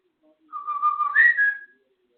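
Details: Whistled fragment of the Andy Griffith theme by a pet African grey parrot: a steady low note held, then a jump to a higher, brighter whistle, all in one smooth phrase indoors.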